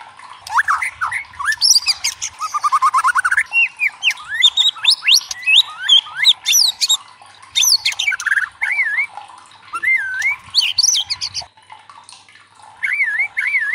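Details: White-rumped shama singing loudly, used as a lure to provoke other shamas into song: a rich, varied medley of whistles, rapid trills, buzzy notes and rising-falling wavy phrases, continuous and energetic.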